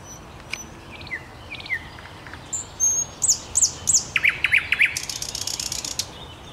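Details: Thrush nightingale song recorded on 5 May 2021: scattered thin whistles, then a series of loud sharp repeated notes, followed by a dry rapid rattle, over steady low background rumble.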